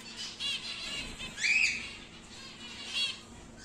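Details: Pet cockatiel, home-bred normal grey of wild type, aged five to six months, calling in three harsh, high squawks, the middle one loudest and slightly rising, spaced about a second apart over quiet room background.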